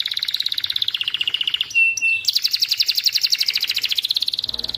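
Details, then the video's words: Canary song made of a rapid, even trill of high notes, briefly broken by two flat tones, then resuming as a dense fast rattle that rises slightly toward the end. "kenari paud kenari macet langsung gacor"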